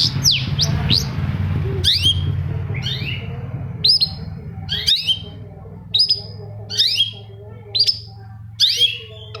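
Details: Long-tailed shrike song used to stimulate silent shrikes into singing morning, noon and night: sweeping downslurred whistles open, then sharp hooked high notes repeat roughly once a second over a steady low hum.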